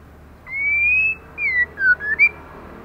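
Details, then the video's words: Heavily moulting female white-rumped shama in intense song: a long clear whistle climbing slightly, then a string of shorter whistled notes, falling and rising in turn, against faint background hum. "LỬA MÁI THAY LÔNG TRỤI LỦI ĐẬP TẠCH LÔNG BAY VUNG VỤ HÓT CỰC XUNG KÍCH LỬA"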